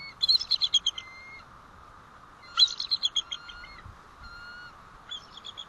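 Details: Bald eagle alert calls at the White Rock nest, 1 April 2012 around 10:06 am, as the male returns and the female prepares to leave; three bursts of rapid, high, staccato chattering notes, each trailing a thin whistle, roughly 2.5 seconds apart.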